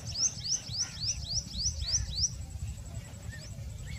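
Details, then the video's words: Common kingfisher at Nal Sarovar, Gujarat: a rapid run of about eight shrill, high downslurred whistles, evenly spaced roughly every quarter second, followed by a couple of fainter notes against steady low-pitched background rumble. "Common kingfisher"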